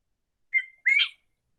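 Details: A native New World quail, common in scrub at El Romeral reserve in the Valle de Aburrá, gives a clear two-part whistle: a short note, a brief pause, then a longer, rising, slightly burry note.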